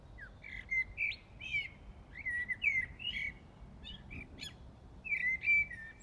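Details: In Brussels, Belgium, on the early morning of 15 January 2018, a common blackbird sings at night, pouring out rich mellow warbled phrases with high squeaky flourishes, several phrases in quick succession over a faint low city rumble.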